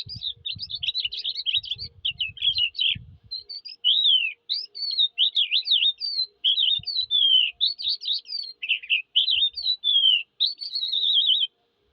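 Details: Eurasian skylark in a long, varied torrent of high, twittering and slurred notes with few pauses; low rumbling bumps, like wind or handling, in the first few seconds.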